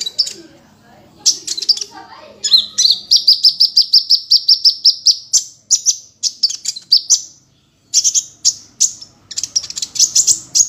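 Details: Sunbird in energetic gacor singing, a master recording for training songbirds in the ngunci style. High, sharp chirps and buzzy notes come in fast bursts, then a long run of quickly repeated clipped notes, with short pauses between phrases.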